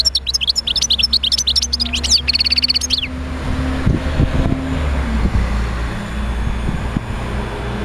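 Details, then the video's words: European goldfinch song for stimulating other goldfinches: about three seconds of quick twittering and a buzzy trill, then the bird falls silent, leaving low rumbling hum and background noise. "تحفيز طيور الحسون على تغريد"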